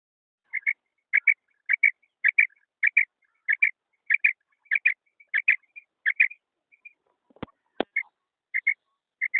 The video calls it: female quail call